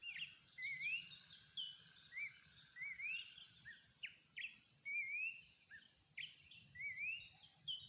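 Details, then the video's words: Wild Horsfield's babbler in full song, rising slurred whistles repeated roughly every second over eight seconds, mixed with short downslurred notes, faint steady hiss behind. "planduk semak gacor di alam"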